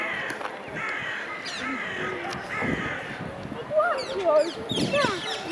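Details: Rose-ringed parakeets by their nest in a tree in Amsterdam's Vondelpark give drawn-out, raspy screeches in a quick series, then a burst of sharper, rising and falling squawks, with a busy park background.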